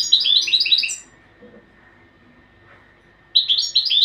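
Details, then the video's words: European goldfinch singing two quick bursts of bright, tinkling, high twitters, each about a second long, separated by a short pause in a quiet room. "تغريد الحسون"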